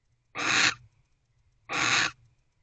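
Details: Nest-box barn owl, 9:45 pm on 25 December 2023, awaiting its mate. Two long, harsh, noisy screeches of about half a second each come roughly one and a third seconds apart.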